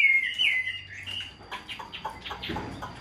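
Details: Caged Chinese hwamei, tame enough to be held in the hand, giving a short bright whistled phrase followed by a quick series of softer sharp chirps, fading in loudness.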